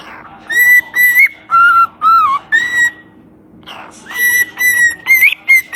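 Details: Parrot singing a whistled tune of clear, pure notes held steady, some stepping lower then rising again, with a short breathy sound and a quiet pause midway before the melody resumes.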